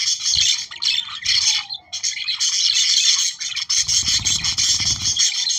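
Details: Budgerigars warbling to stimulate breeding: continuous busy chatter of squeaks and buzzy notes, accompanied in the second half by a low scraping or rubbing noise.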